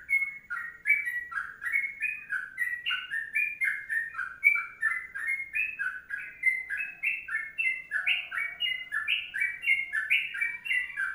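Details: A sooty-headed bulbul delivers the long 'kongslet panjang' song: rapid, unbroken chains of warbling two-toned whistles rising and falling in quick succession for over ten seconds, in a quiet setting.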